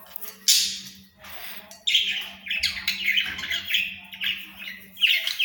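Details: Budgerigars, called Australian parrots, in a dense run of bright chirping and warbling chatter that is almost continuous, with sharp loud notes breaking through the flow and a faint hum beneath.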